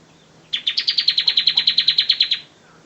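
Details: Bar-winged prinia used as a master singer for training birds: one burst of about seventeen fast, high, clipped notes over two seconds, rising slightly at the start.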